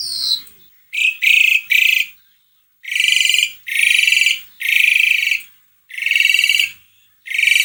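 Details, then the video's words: Asian pied starling song for prompting a silent bird: a whistled opening note, then a series of loud harsh, grating buzzes, each under a second, repeated with short gaps. "Kicauan burung jalak suren gacor"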